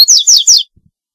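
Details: Fragment of double-collared seedeater song: three loud, quick, high downslurred sweeping notes in succession, then silence with two faint low clicks.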